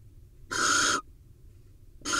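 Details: A barn owl pair in Israel, the male arriving with a vole before mating: one loud, rough, rushing hiss lasting half a second, a second of quiet, then another hiss begins.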